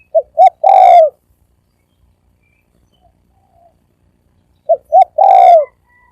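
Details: Spotted dove cooing quickly in thổ ồm and thổ vang styles: two short notes and then a long resonant coo, given twice with a pause of several seconds between phrases.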